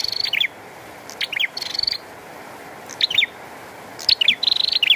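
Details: Bar-winged prinia song amid rain: separate bursts of high chattering trills and descending squeaky notes, spaced about a second apart, with rain hiss filling the background.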